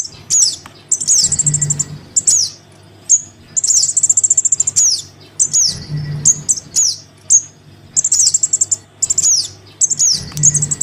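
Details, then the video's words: Lure call of a Crimson sunbird chick calling its parent: shrill descending chirps mixed with fast, dry high trills, delivered in lively bursts every second or two, over an intermittent low hum. "Suara pikat [anakan sogon memanggil induknya]"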